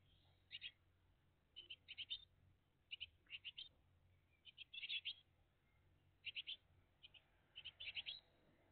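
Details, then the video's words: Great tit family at a nest on the morning of 20 June 2023, watched live: quiet high chirps in tight groups of two to five notes, coming about every second with short pauses, over a soft low hum. "GREAT TIT FAMILY LIVE"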